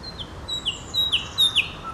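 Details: Loud, clear nightingale notes, each a high level whistle dropping sharply at the end, repeated about four times in quick succession.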